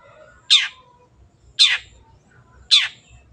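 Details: Cendet (long-tailed shrike) as a lure to restart a silent bird: three loud, grating, rasping notes, each about a second apart, over quiet background.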